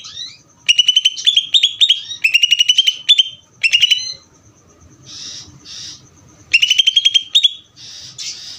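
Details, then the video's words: Ngeder song of a greater green leafbird: several short volleys of quick, metallic repeated notes, some rising slightly at the end, alternating with soft hissy rushes and brief gaps. "cucak ijo ngeder"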